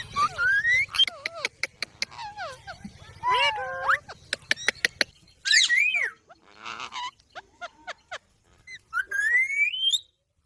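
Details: Green parrot talking after a person says mitthu. It gives rising whistled glides, a string of clicks and talk-like harmonic syllables, and ends with a long upward sweep.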